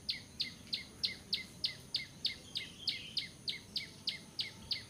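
Bar-winged prinia giving a fast, steady run of sharp, high notes, each dropping in pitch, about three a second, over a faint background hiss.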